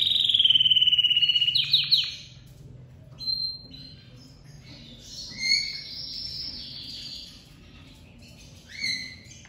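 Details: Crested lavandeira domestic canary singing strongly as it comes out of moult: a loud descending whistled trill opens, followed by scattered high chirps and short rolled phrases.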